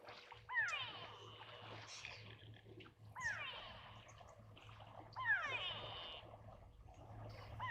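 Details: At an African waterhole on 11 June 2024, a grey go-away-bird, unhappy with a herd of buffalo present, gives three drawn-out, nasal, bleating calls about two seconds apart, telling them to go; low hum, faint background noise.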